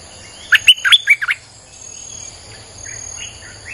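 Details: Streak-eared bulbul song used as a lure for wild birds: a quick burst of about six bright, chirpy notes rising and falling over roughly one second, then soft, distant warbling notes against a steady high insect hum.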